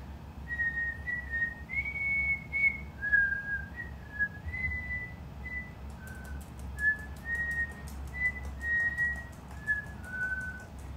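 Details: Pet cockatiel indoors practising a tune it is learning, carefully sounding one note at a time while checking pitch: a series of clear whistled notes, some level, some sliding down, with a rapid ticking patter in the second half.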